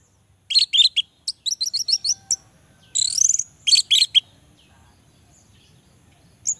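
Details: Song of a male orange-headed thrush, used to coax silent males into singing: high, sharp chirps and trilled bursts in quick clusters, then quiet for the last seconds before a final note.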